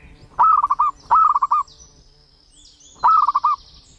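A zebra dove gives three quick bursts of soft, rolling staccato coos, each a rapid run of four or five notes. Faint high chirping sounds behind.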